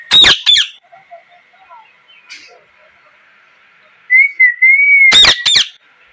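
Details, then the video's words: A parrot opens with a pair of loud harsh squawks, then soft quiet chatter. A wavering whistle follows, then another loud double squawk. "Parrot Chirping Sounds | Natural Parrot Sounds | Parrot Calling Sounds"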